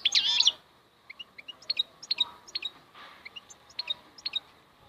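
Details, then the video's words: European goldfinch starts with a loud, warbling twitter, then gives a steady series of short, clipped high chirps and paired notes. "MAKNINE KHALWI super chant"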